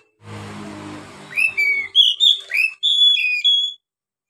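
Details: Oriental magpie-robin song meant to get beginner birds singing: after a second of low humming noise, a run of clear, sweet whistled notes, some rising, some sliding down, delivered in quick succession.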